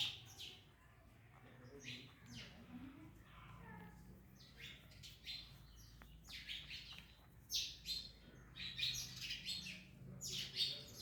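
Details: Several parrots eating orange give overlapping rasping chirps that start soft and sparse, then grow louder and denser toward the end, over a faint low hum.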